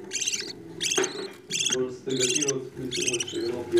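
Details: Budgerigar chicks fed by their parents give coarse, rattling, buzzy bursts roughly every three quarters of a second, mixed with softer lower chattering and faint background murmur.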